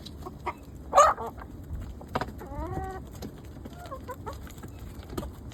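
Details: Hens kept for eggs, soon to be let out onto grass: a loud harsh squawk early on, then a drawn-out harmonic call and scattered soft clucks over a low background hum.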